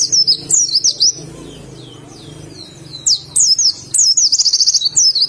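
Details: Oriental white-eye, Indonesian bird in forest-style song; a short burst of high slurred whistles, a quiet gap with low background murmur, then a rapid chattering series of sharp high notes.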